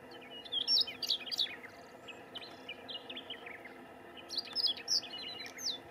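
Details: Singing Siberian rubythroat in coastal shrub at Lake Saroma, Hokkaido, Japan, on 6 June 2019: two bursts of high, varied warbling with quick whistled slurs and scratchy notes, separated by a quieter gap with soft background hum.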